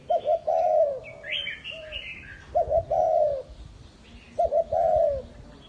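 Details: Spotted dove used as a lure, from Ba Vi, Hanoi, Vietnam, repeating a three-part coo phrase about every two seconds, with a higher chirping bird briefly audible early on.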